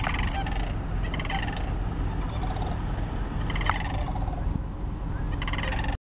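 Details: Sandhill cranes near Shillapoo Wildlife Recreation Area in Washington give scattered hoarse, rolling bugle calls, with heavy wind rumble over the recording and a sudden cut at the end.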